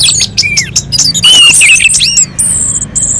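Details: Orange-headed thrush singing on a mountain slope as a provocation for other birds: jumbled quick chirps and slurred whistles, then two long, even high whistled notes at the end.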